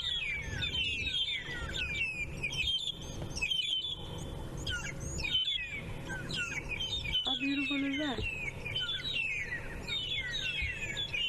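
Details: Magpie shrikes, likely a family group with two seen calling, sing a morning chorus at sunrise; dense overlapping whistled and chirping phrases repeat continuously, with a man talking and low background rumble throughout.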